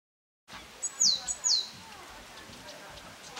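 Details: Taiwan yuhina on Lalashan, lively among the foliage: two sharp, high, downward-sweeping whistled notes in quick succession, close and clear over quiet background.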